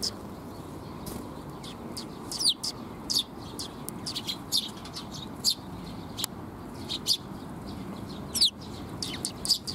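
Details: At Mizukami Bridge on 19 June 2021, sparrows come for food: sparse, sharp single chirps every second or so, a few wing flutters, over constant low ambient noise.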